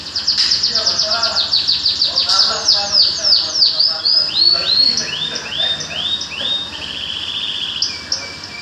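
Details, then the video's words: Songbird in full song, used to encourage other birds to sing more: rapid runs of high, sweeping down-slurred notes about three per second, shifting into shorter clipped phrases and a thin sustained tone near the end, over faint low hum. "Kicau mania Randangan BC"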